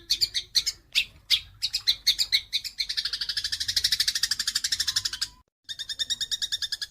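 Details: House sparrows in a fight, used as a training call for songbirds: scattered harsh chirps give way to a fast buzzy chatter, a short silence, then more rapid scratchy chatter.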